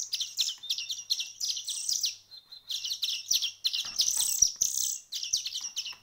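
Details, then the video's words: Small bird chicks after a week of hand-feeding, giving rapid high chirps in dense bursts, several calls overlapping, with brief pauses between runs. "كيف أصبحت فراخ العصفور بعد مرور أسبوع من التأكيل اليدوي"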